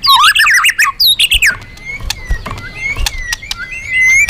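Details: Magpie-robin in vigorous song, used as a lure for other birds: a dense burst of loud, tumbling whistles and squeaks in the first second and a half, then a thin steady whistle repeating with scattered clicks.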